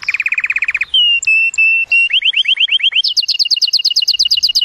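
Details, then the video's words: Excited canary song meant to stimulate the female for mating, made of rapid rolling trills, a sustained clear whistled note with faint high pips, then a run of rising slurred notes and a fast high two-tone trill. "كناري يغرد بصوت هائج لتحفيز الانثي لتزاوج"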